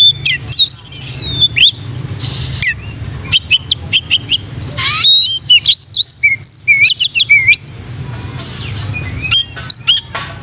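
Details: Oriental magpie-robin singing energetically, presented as training song for other magpie-robins: buzzy rasping notes alternate with fast clear whistles, upslurs and rapid chip series, repeated in dense phrases over a steady low hum.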